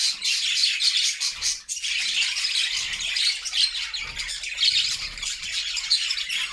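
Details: Happy caged budgerigar flock singing: dense warbling chatter with scratchy squawks and chirps, briefly dipping before resuming, plus light low thuds.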